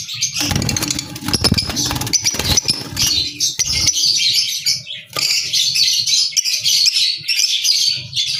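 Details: Albino red-eyed lovebirds keep up harsh, high twittering chatter throughout; rustling, clattering noises and possible wing flaps crowd the first three seconds before steady shrill squeaks take over.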